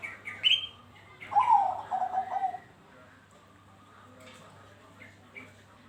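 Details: Lure recording of a Bangkok-type zebra dove: one soft, stuttering cooing phrase of about one and a half seconds, preceded by a few sharp higher chirps from another bird.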